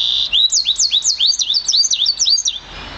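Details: A one-year-old Yarrell's siskin mule, bred from an intensive green Fife canary, sings a fast, high twittering run of looping, rising-and-falling whistled notes, about four a second, with little else audible.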